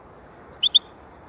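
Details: European goldfinch, known locally as saka, uttering a quick phrase of three bright, high tinkling chirps in rapid succession, loud and clear with almost no background sound.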